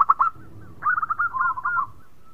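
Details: Sweet-voiced local zebra dove singing steadily, meant to prompt other birds to sing: a few quick bubbling coos, a short pause, then a rolling string of staccato cooing notes that trails off into a soft held tone.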